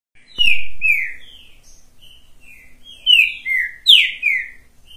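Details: Green-winged saltator singing while perched on a person's hand: loud, clear downslurred whistled notes in a phrase, a quiet stretch, then another burst of descending whistles; a soft knock at the start.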